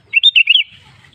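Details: Sooty-headed bulbul (kutilang) giving a cheerful song phrase, played to trigger other bulbuls into song: five rapid liquid whistled notes bouncing up and down within half a second, then a soft low hum.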